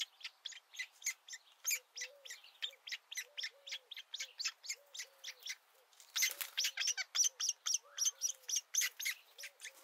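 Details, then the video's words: Woodpecker nestlings being fed as they first lean out of the nest; a fast, steady stream of dry, buzzy notes, about four a second, becoming louder after six seconds, with soft low notes underneath. "Nestlings sticking out their head for the first time to feed"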